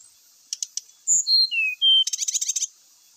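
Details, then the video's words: Brown-chested jungle flycatcher song said to stir other males to fight; a few clicks, then pure whistles descending step by step, followed by a dense fast buzzy trill, all over a steady high-pitched hiss. "SULINGAN NYA BIKIN SRDC LAIN KOCAR KACIR IKUT TARUNG"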